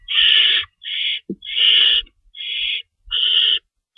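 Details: Feeding time at an owl nest, 3:53 AM, March 25, 2012, with two rabbits stocked: five strong, grating hiss-screeches about half a second to a second long, with a short sharp click between them.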